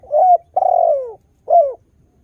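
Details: Spotted dove, a frequent singer, with sweet cooing meant to lure wild doves into calling back: a short coo, a longer coo with a stuttering start that slides downward, then a third falling coo, in quiet surroundings.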